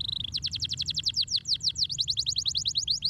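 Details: Canary masteran: a brief steady whistle, then a long fast sequence of sharp falling chirps in quick succession, with a dip and recovery midway.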